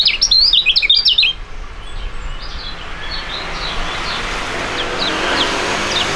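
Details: Two young Indonesian songbirds singing together in a duet, birds with a fighting style that do well at song contests; loud, rapid, high chattering warble for just over a second, then fainter scattered notes over steady background noise.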